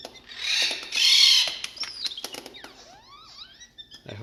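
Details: A captive Blue Jay at a Connecticut nature center, thought to be male, gives R2-D2-like robot noises: a harsh, creaky rattle, then quick bending whistles that rise and fall. He taps and pounds a finger with crown raised, belly puffed and tail flared. A person speaks softly.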